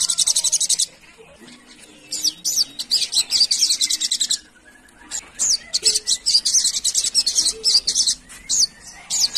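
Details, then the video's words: Sunda pygmy woodpecker (locally called sogon) giving high, buzzy, rapid trilled rattles in bursts with brief quiet gaps, over faint lower background sounds; presented as a lure call to draw a quick response from wild birds. "SOGON APAPUN CEPAT RESPON GACOR"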